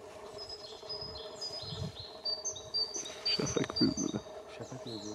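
A European robin sings thin, high, wistful phrases with quick trills and slides, shifting in pitch from one to the next, over steady background noise and low murmuring voices.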